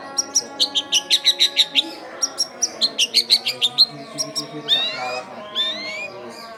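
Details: Long-tailed shrike singing vigorously as a lure for untamed shrikes, from a densely populated area: quick bursts of sharp high ticking notes, several per second, ending in a few longer rising whistles over a faint hum.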